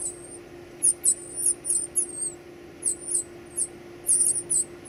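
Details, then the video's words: Baby birds being fed: a shrill whistle, then bursts of high, squeaky, jittery chirps in groups with short pauses between them. "feeding baby birds"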